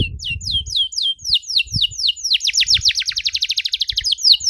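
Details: Canary singing a long, elaborate song as a model for young canaries: spaced falling whistles that quicken into a fast, rhythmic trill of bright notes, with faint low thumps underneath.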